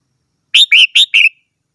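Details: Red-whiskered bulbul giving a quick four-note whistled phrase, bright and slightly rolling, notes alternating higher and lower within under a second, on a silent background.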